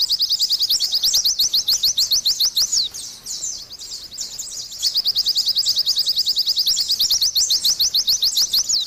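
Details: Vigorous Oriental white-eye song, a fast string of thin, high, clipped notes running in two long bursts with a short dip in between, steady and insistent throughout.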